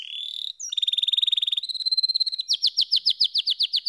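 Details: Singing canary: a sustained rolling trill, then a fast pulsed rattle and a higher trill, ending in loud repeated downslurred chirps roughly five per second; no other sounds.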